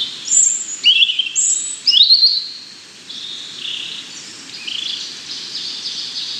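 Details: High, thin whistled phrases of a European robin, a few descending and rising notes over about two seconds, then fading into a steady hiss of background noise.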